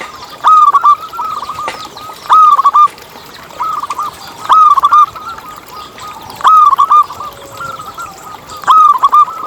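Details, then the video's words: Local zebra dove singing constantly, used to coax other doves into song. Loud, bubbly clusters of rapid coos about every two seconds, with fainter dove chatter underneath. "Lokal Gacor Suara Paling ISTIMEWAcUntuk Pancingan Burung Perkutut Agar BunyiTerus"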